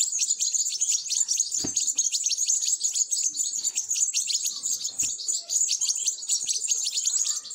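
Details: European goldfinch nestlings pleading for food while being fed, an unbroken, intense chorus of shrill, fast chirps, punctuated by two faint thuds.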